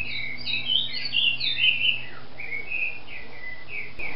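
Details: Brazilian captive trinca-ferro, or green-winged saltator, singing a manhoso phrase: a jumble of clear whistled notes, some rising and some falling, then softer spaced whistles, over a steady low electrical hum.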